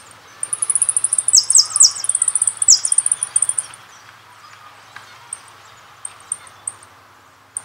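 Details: A jilguero, a goldfinch-type songbird bred for singing contests, delivers a sustained run of fast, very high, ringing and buzzy trills lasting about three seconds, then drops to a few sparse sharp notes.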